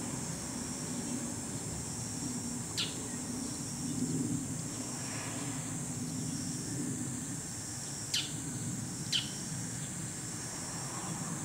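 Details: Bull-headed shrike on a neighbourhood power line in the evening, giving three sharp, harsh single notes a few seconds apart over a steady high insect hiss and low traffic rumble.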